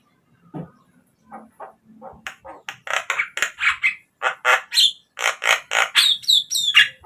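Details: Lure recording of Javan myna to prompt captive birds to sing: soft scattered notes build into a fast, steady string of loud, rasping chatter notes, ending with sharper high whistled squeaks.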